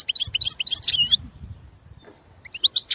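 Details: Goldfinch twittering in quick high chirps, fading into a quieter gap with low background noise, then a few bright whistled notes returning at the end.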